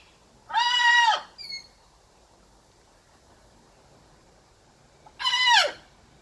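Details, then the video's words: Blue-and-gold macaw, a pet playing, letting out two raspy squawks several seconds apart, each flat and harsh before dropping off sharply, with a brief softer note after the first. "Macaw laughing, squawking, talking and playing"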